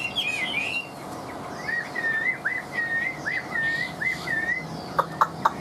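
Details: A caged Chinese hwamei (Garrulax canorus), kept over two years and partway through moult, sings a run of clear slurred whistles, about eight rising-and-falling notes in three seconds after a higher opening phrase, ending in sharp clicks.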